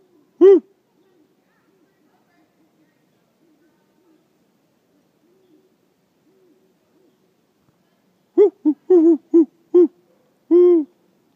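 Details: Male and female Great Horned Owls hooting back to a person's calls: one deep hoot, soft distant replies, then a close rhythmic run of six hoots, the last one drawn out.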